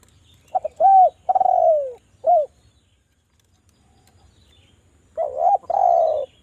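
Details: Spotted dove calling as a song lure for other doves. One full phrase of stuttered coos, a long falling purr and a short note is followed by a pause of about three seconds, then a second phrase begins.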